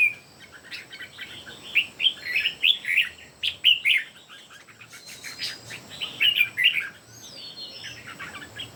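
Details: Red-whiskered bulbuls, three birds singing against each other in competition, pouring out rapid clustered chirps and warbling notes in quick bursts, overlapping, with a short gap midway.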